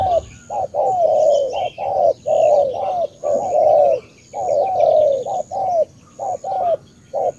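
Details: Spotted dove of Cà Mau, Vietnam, delivering long runs of soft, throaty coos, stretched notes alternating with quick short ones, nearly continuous, with faint chirps of other birds overhead.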